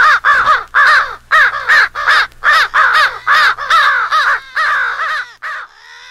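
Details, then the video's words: American crow rally call for crow hunting, crows fighting an owl: quick, evenly spaced short caws, more than two per second, ending in a fainter drawn-out call. "American Crow/Owl Rally Call"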